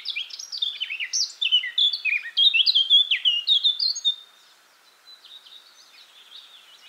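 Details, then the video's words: A Eurasian blackcap (Sylvia atricapilla) delivers a bright, fast warbling phrase of clear, sliding whistles for about four seconds, then trails off into faint, quiet twitters. "O canto da toutinegra-de-barrete-preto (Sylvia atricapilla)"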